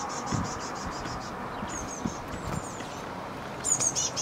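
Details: Begging great tit chick waiting for food on a balcony, May 29th. Rows of short, high, thin squeaks in rapid series, with a louder, sharper burst near the end against faint constant background noise.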